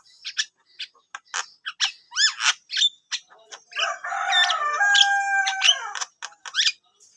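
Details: Javan myna singing continuously: clicks and sharp chips repeated, bright upward-swept whistles, then a long scratchy, squeaky passage followed by more short notes.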